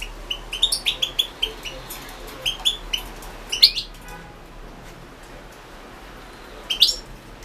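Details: European goldfinch, Balkan form Carduelis carduelis balcanica, recorded as a 2016 entry in an internet world championship for goldfinch song. Bright, high twittering chirps come in quick clusters for four seconds, then a pause and a short final burst. A faint low hum runs underneath.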